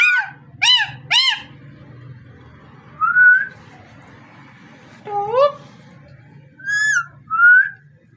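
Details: Parrot producing short, sharp harmonic chirps early on, then spaced whistled notes that rise and fall, with gaps of quiet between bursts; a faint low room hum runs throughout.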